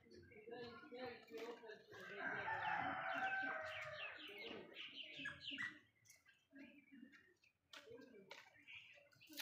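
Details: Golden pheasant giving a loud, harsh, rasping call lasting over a second, amid a busy background of clucks, chirps and short calls from other birds.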